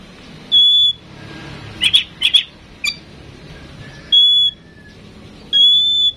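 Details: Tame female oriental magpie-robin, kept to prompt other birds into singing, gives clear, pure, steady whistles about a second apart, broken by a few short sharp chirps, over quiet background hiss.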